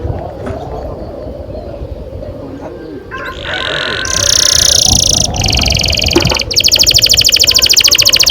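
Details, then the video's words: Canary in long rolling song, used as a lure to get young canaries singing; quiet start, then a bright high trill from the fourth second, changing to a fast, even pulsed roll near the end. "Kenari gacor NGEROL PANJANG"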